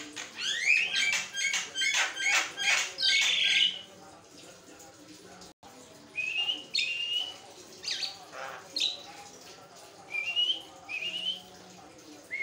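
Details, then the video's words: Javan myna (jalak kebo) singing without pause as training material for other mynas; a fast series of about ten clicking, rasping notes, then scattered rising whistles and squeaks after a short gap. "jalak kebo ngoceh tanpa henti, buat masteran dan pancing bunyi"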